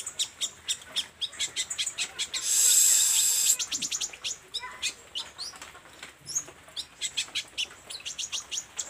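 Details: Olive-backed sunbird in energetic song, pouring out quick high ticks and squeaks at about two per second. A brief hissing burst interrupts partway through.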